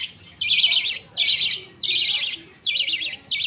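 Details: Pet budgerigars in a colony at feeding time, a father feeding food paste from millet to two chicks while the mother watches; about five harsh, buzzy rasping bursts, each around half a second, repeated in quick rhythm.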